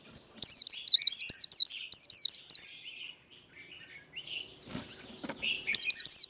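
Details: Rousing líu fighting song of a white-eye: a long rapid series of about ten sharp, twisting high notes, a pause filled with faint chirps and a brief rustle, then three more strong notes.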